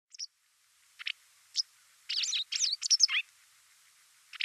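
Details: White wagtail (Motacilla alba) giving short, sharp high chirps, single at first, then a quick cluster of twittering notes around the middle, with a last chirp at the end; faint background hiss.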